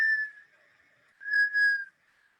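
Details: A Black Scoter gives its communication call, plaintive, drawn-out whistles: one long note followed by a pair of mellow, slightly falling whistles, with surf said to be audible in the background.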